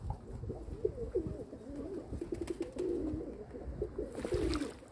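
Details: Domestic pigeons kept by their owner, recorded 27 May 2022: a run of low, rolling coos wavering up and down, one after another through the clip, with a brief rustle near the end.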